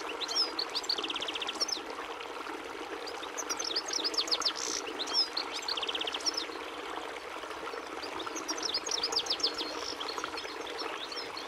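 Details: Portuguese goldfinch (Carduelis carduelis) song: bursts of bright, fast twittering with two buzzy, even trills, notes rising and falling quickly, repeated phrases separated by brief gaps, set against a constant hiss like flowing water.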